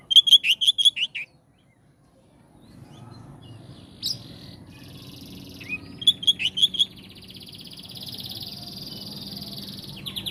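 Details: Oriental magpie-robin singing loud, ringing repeated whistles in rapid phrases of six or seven notes, a pause, then another matching burst, with a high buzzy trill and soft background hiss between phrases.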